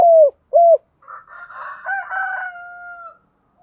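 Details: Spotted dove used as a decoy to provoke other doves into calling gives two low, bent cooing notes, then a longer blurred, layered passage ending in a steady drawn-out tone.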